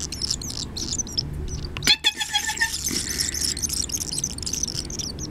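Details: Barn swallow nestlings, a brood of five in a nest at a house, beg excitedly with open mouths after a person imitates their mother's call. Thin, high chattering calls rise over a steady low hum, with a short burst of sharp clicks midway.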